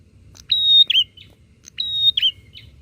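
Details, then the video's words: Two close, loud phrases from bar-winged prinias calling back and forth to provoke other prinias, each a tick, a clear drawn-out whistle, then a quick tumbling downslurred twang and brief trailing note. "Suara prenjak gacor saut sautan bikin prenjak apa saja cepat emosi"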